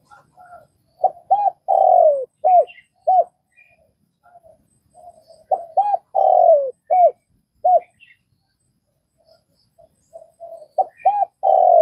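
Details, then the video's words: Spotted dove from Vietnam repeating its cooing phrase several times: quick arched notes, a long falling coo, and clipped closing notes, with soft murmurs in the gaps and scattered faint chirps from other birds. "Tiếng cu gáy Việt"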